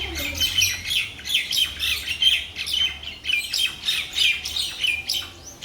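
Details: Myna chatter from a Bangladeshi village: rapid, harsh squeaks and rasping chirps pulse in waves every half second or so, with a faint low hum behind them.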